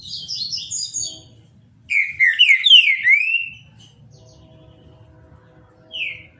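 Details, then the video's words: Captive, legally kept Green-winged Saltator singing a Paraná-style song: a run of thin high chirps, then a loud phrase of rich whistled notes with rising and falling slurs, ending with a single descending whistle after a pause; low background hum. "TRINCA FERRO PARANÁ CANTANDO BONITO"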